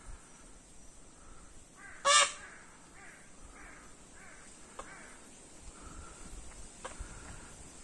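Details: A peacock gives a single loud, harsh, harmonic cry lasting well under a second, standing out above faint background chatter and low rumble.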